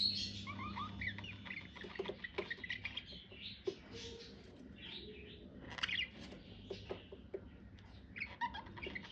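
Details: Pet budgerigars in a courtship approach, giving a continuous jumble of squeaky chirps, clicks and warbled notes at mixed pitches, soft and irregular over a constant low hum.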